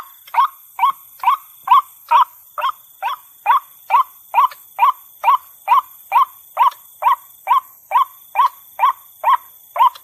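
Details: Steady series of short croaking notes from a white-breasted waterhen, played as a lure sound, repeating about twice per second without a break, over a faint constant hum.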